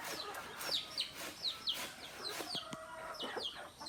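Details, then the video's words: Native chickens in a flock with rooster and hens: clear, thin, high peeps, each sliding sharply downward, repeated roughly every half second, with a few clicks and soft clucks underneath. "Rooster, Hen and Other Native Chickens."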